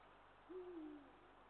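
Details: Eurasian eagle-owl (Bubo bubo) recorded 20 March 2023: a single deep hoot, a low, steady note that falls away slightly at the end, over a soft background hiss.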